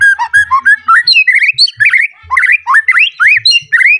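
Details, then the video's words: White-rumped shama, worked up and seeking a rival, pours out loud, rich whistled phrases, rapid slurs rising and falling almost without pause; low thuds in the background. "Pancingan Murai Batu Emosi Mencari Lawan Bikin Murai Lain Langsung Emosi Bongkar Isian"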